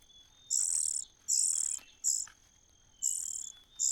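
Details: Nestling common cuckoo begging in a host nest: a rapid run of shrill, rasping bursts, some long and some clipped short, with roughly one call each second.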